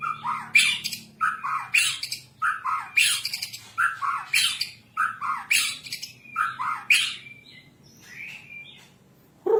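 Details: White-rumped shama song used to train captive birds: harsh, loud chattering phrases repeated roughly every half second for about eight seconds, then a softer whistled tail and quiet.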